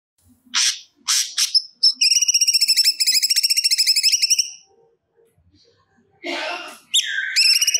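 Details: A cucak cungkok singing energetically, pouring out stored material: three sharp chirps, then a long fast buzzy high trill lasting over two seconds, a pause, and a harsh note leading into another rapid trill.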